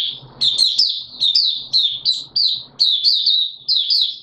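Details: Caged white-eye, not yet in full condition, opening its song on 9 May 2022: a quick run of high, sweet chirps and twitters, about two to three notes a second, with faint low rustling underneath.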